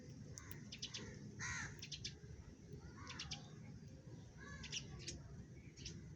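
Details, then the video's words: Several sparrows feeding, giving brief high chirps and squeaky notes in loose groups every second or so, set against constant low-pitched outdoor background noise. "Sparrow feeding । Sparrow Sound Effect"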